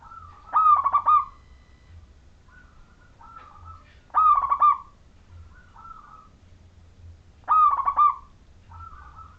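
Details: Local wild Majapahit zebra dove in full song as a lure for other zebra doves: three loud stuttering coo phrases roughly every three and a half seconds, separated by quieter single drawn notes.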